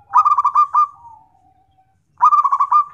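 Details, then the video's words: Local zebra dove, perkutut, singing for therapy and to train other birds: a loud rapid burst of bubbling rolled notes trailing into a soft drawn-out coo, then the bubbling burst repeats after a short pause. "BUAT TERAPI DAN MASTERAN"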